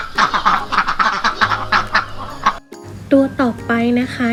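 A woman speaks over soft music, then a domestic duck gives a few short, nasal, harmonic quacks in quick succession near the end.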